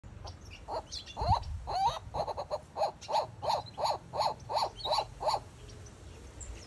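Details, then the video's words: A White-cheeked turaco sings a run of about a dozen hoarse, barking notes, evenly spaced at about three per second, over a low background rumble. "White Cheeked Turaco Song"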